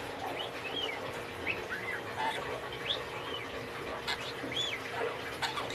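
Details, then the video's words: A talking pet parakeet that speaks Filipino and English chatters in quick warbled phrases of short rising and falling chirps, scattered across the seconds, over a faint steady hum. "The Talking Parakeet"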